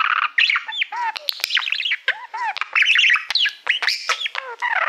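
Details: Pet budgerigar warbling to a shiny silver plaque it treats as a mirror: continuous chatter of quick rising and falling whistles, squeaks and clicks with brief downward-sliding notes mixed in.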